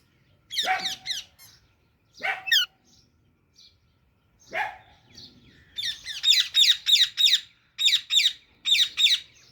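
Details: Baby Alexandrine parakeet chirping: a few harsh, rasping calls with a low tonal base at first, then rapid runs of high, scratchy chirps repeated in quick bursts, with short silent gaps between groups.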